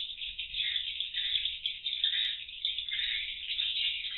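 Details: Inside a cardboard swiftlet house, swiftlets circle in the circulation room before entering the roosting rooms, recorded by CCTV; a thick, rattly stream of rapid high-pitched clicking twitters without pause.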